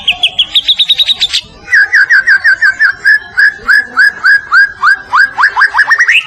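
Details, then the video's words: Champion white-rumped shama from Medan, singing for other birds to learn. It gives a rapid rising trill, then a long even series of clear whistled notes, about three per second, ending in rising slurs. "Kicau Murai Batu Gacor Masteran Sang Juara ‼️Murai medan"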